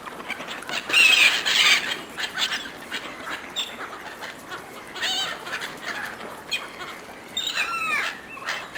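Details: Seagulls competing for food a person provides. Bursts of loud, harsh squealing cries come near the start and again near the end, with quieter overlapping calls in between.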